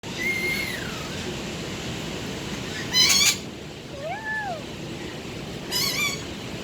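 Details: Budgerigar talking and singing: a whistled note sliding downward, then two short harsh harmonic bursts and a pair of rising-falling whistles over a steady background hiss.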